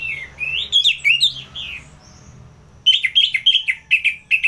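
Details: Ngeplong song of a caged orange-headed thrush from Singaraja, North Bali, used to provoke fighter birds: rich sliding whistles, a short pause, then a crisp burst of quick repeated chirping notes.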